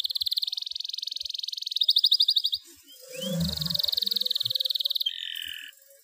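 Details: Atlantic canary in breeding condition, its song used to stir lazy canaries into singing and to stimulate females: long, high, even-pulsed rolling trills, a brief pause with soft low sounds, then another sustained trill and a lower two-tone ending.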